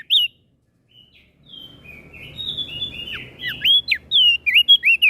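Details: Crested white-eye from Flores singing to provoke other birds: one sharp whistled note, a pause, then a low rumble beneath an accelerating run of high, slurred whistles that sweep up and down in quick, uneven bursts.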